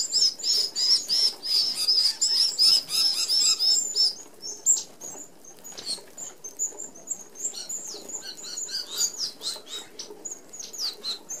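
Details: Red-browed finches feeding together at an open feeder with fine mesh, Australia; continuous high squeaky chatter for the first four seconds, then looser thin peeps mixed with fluttering and pecking patter.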